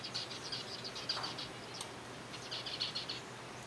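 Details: Captive zebra finch colony feeding on softfood, giving strings of short nasal beeping calls in two bursts, start and end, with a quieter pause between and a low hum throughout.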